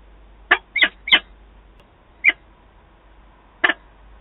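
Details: An adult peregrine falcon pair meeting at Wałbrzych on 11 September 2022 gives hoarse, scratchy calls, a quick cluster of three followed by spaced single and doubled notes.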